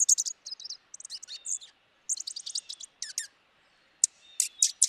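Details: Dark-eyed junco chattering: rapid runs of high, dry twittering chips in uneven groups, broken by short gaps, over a quiet background.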